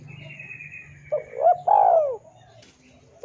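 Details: Spotted dove singing, for tutoring and luring caged birds: short rising notes then a long descending coo, the next phrase just beginning, with a faint high whistle and low background hum.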